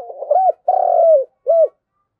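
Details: Spotted dove used as a decoy, calling to its flock. A low cooing phrase joined mid-stutter runs into a rounded coo, a drawn-out purring coo and a short closing note. Quiet background.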